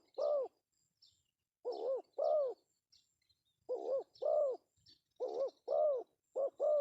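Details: Lure call of a male spotted dove, pesom style. A single coo is followed by four uneven pairs of mellow notes, the second note of each longer and arched. Scattered thin high bird chirps run through the background.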